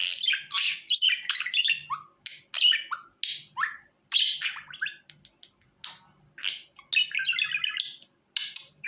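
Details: Budgerigar calls intended to lure the bird to the hand: quick squeaky chirps and short falling whistles, then a stuttering series of clicks and a rattling, stacked trill.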